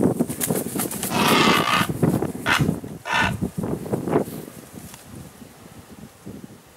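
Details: Wood stork in Everglades National Park, Florida, on 23 February 2019, giving hoarse, nasal, almost mooing brays in overlapping bursts over a few seconds. Then fainter rasps fade out against a steady background hiss.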